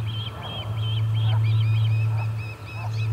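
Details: Osprey at the Charlo nest on 8 August 2020 as a fishless parent arrives: a few level whistles give way to scattered, softer arched chirps over a low hum.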